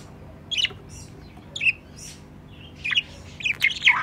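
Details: Pet budgerigars, a hoped-for future breeding pair kept at home, call beside their nest box: short, scratchy chirps near 2–4k pitch in scattered bursts, a busier cluster of squawky notes toward the end.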